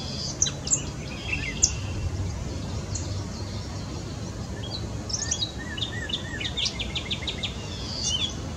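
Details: A gray catbird sings a rambling, jumbled run of squeaky, chattering notes and short slurred phrases, never settling into a repeated pattern, over a steady low rumble.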